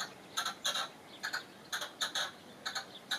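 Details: European goldfinch giving clipped, bright twittering notes in small clusters of two or three, separated by brief gaps, each note sharp and nasal-toned against a quiet background.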